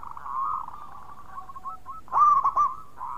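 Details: Local Indonesian zebra dove (perkutut lokal) singing loudly and often. A soft, rolling, steady-pitched cooing trill runs for two seconds, then a brief pause, then a louder burst of three quick, clipped coo notes before fading.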